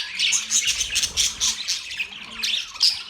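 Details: Budgies chirping in quick pulses: sharp high twitters and rasping squawks repeat several times per second, with a few piercing squeaks near the start and end.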